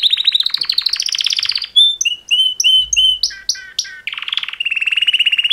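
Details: Mating song of two male canaries: a rising rapid trill, then a series of pure whistled notes and quick chirps, finishing with a steady buzzing roll.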